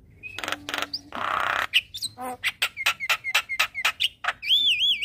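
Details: Javan myna lure song played to a quiet bird each morning: a buzzy burst, a rapid run of sharp repeated notes, and a closing wavering, looping whistle.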